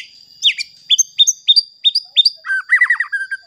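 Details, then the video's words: White-rumped shama song used as a lure to provoke other shamas into singing: a string of short, sharply rising whistled notes about three a second, ending in a fast, tumbling, rattled trill, over a steady thin high tone. "Pancingan Murai Batu Agar Bunyi Ampuh Bikin Emosi Murai Batu Lain"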